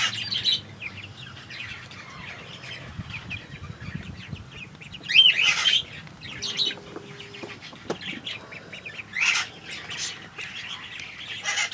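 A grey cockatiel gives short, bright chirps and scratchy squawks in scattered bursts.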